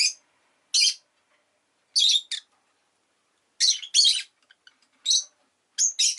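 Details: Rosy-faced lovebird kept as a pet, chirping loudly in harsh, buzzy, high bursts, some doubled, arriving roughly every second with brief pauses between.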